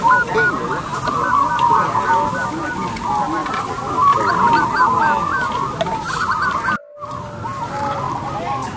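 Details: Several local zebra doves sing loudly as lure birds with long, crystal voices: rapid overlapping hooked coos with softer lower calls beneath, broken by a short silent gap near the end.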